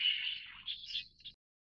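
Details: A leucistic Light-vented Bulbul (Pycnonotus sinensis formosae) gives a harsh, scratchy call: one rasping burst followed by two shorter, slightly higher chirps, ending in silence.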